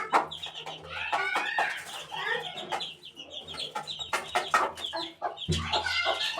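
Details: Young chicken chick at eighteen days old: bright, high peeps repeated quickly alongside lower clucking pulses, with a low hum entering near the end.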